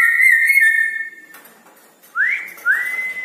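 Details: At night a Red-breasted parakeet gives a brief wavering trill, falls quiet, then gives two rising whistles that level off into a held tone.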